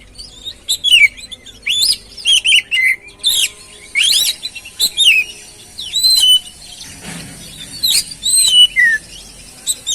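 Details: Caged oriental magpie-robin singing to stimulate another bird to sing: loud, varied whistled phrases with rapid sweeping and warbling notes, bursts spaced about half a second apart, high and clear over a quiet background.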